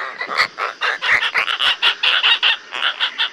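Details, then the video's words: Asian openbill stork (Anastomus oscitans) giving a fast run of harsh, nasal, croaking notes, about four to five a second, overlapping as if from several birds. "শামুকখোল পাখির ডাক | Openbill Stork Bird Sound"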